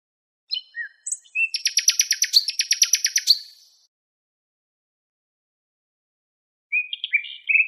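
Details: From a nightingale song tape: scattered chips lead into a loud, rapid machine-gun rattle of repeated notes lasting about two seconds, then silence before a short twittering phrase begins; clean recording.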